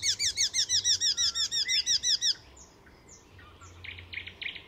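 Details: Icterine warbler, master mimic, at a reserve north of Stockholm: about fourteen loud hooked notes repeated evenly, then quiet thin whistles and a soft buzzy chattering phrase.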